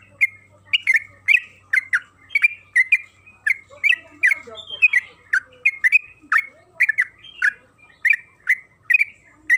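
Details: Long 'ropel' song from a yellow-vented bulbul (trucukan kebo), used to lure other birds into singing: dense, scratchy chirping notes tumbling out in fast succession, with a few softer lower notes halfway through.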